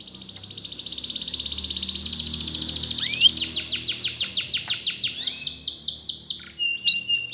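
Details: Canary song played as a lure to get a lazy, quiet canary singing steadily again: rapid high trills of repeated sweeping notes, shifting into slower descending notes and a brief steady whistle near the end.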